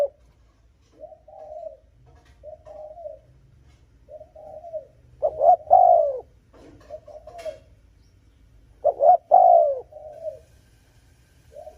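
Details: Spotted dove cooing to provoke and lure rival males: soft, low, mellow phrases, with two louder bursts of a short double note followed by a long sliding coo, repeated at irregular intervals.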